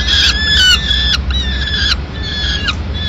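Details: Peregrine falcon, female arriving at the nest in Madrid with the remains of a pigeon at mid-morning; a few long, strained harmonic screeches, the first loudest, over noticeable low-pitched background rumble.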